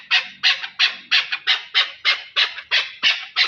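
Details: Chukar partridge, called chakor, in Pakistan: harsh, raspy squawking notes repeated steadily about three times a second, each a broad burst, with no other clear sounds.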